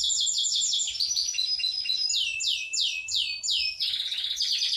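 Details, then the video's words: Rolling Yorkshire canary song: a steady series of arched, sweeping notes that slow slightly as they go, ending in a lower, buzzy rattling trill. "Kenari yrokshire ngerol nggulung panjaaaaang banget"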